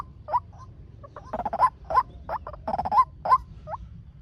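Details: Speed lure call of a male white-breasted waterhen for training or speaker traps: scattered rising notes and two rough chattering bursts over a faint low hum.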